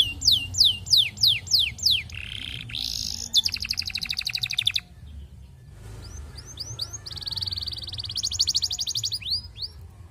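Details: Courting canary, played as a lure so other canaries join in: sharp falling whistles, then a low buzzy roll and a fast rattling trill, a brief break, rising chirps and a long high trill.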